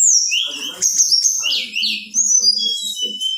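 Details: A female Black-winged flycatcher-shrike calls to excite males, giving bright high whistles and a loud downward-sweeping slur in a short, rapid phrase.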